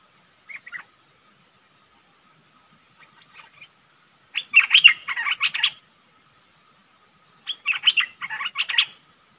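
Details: Decoy streak-eared bulbul calling to draw in wild birds: a brief chirp, faint notes, then two dense bursts of rapid scratchy chattering about three seconds apart, with no other clear sounds.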